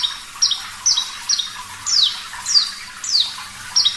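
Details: Branjangan (Javan bush lark) of the parva type in full gacor song, a caged-bird training recording: sharp high whistled notes, each sliding downward, repeated roughly every half second, over a faint watery hiss.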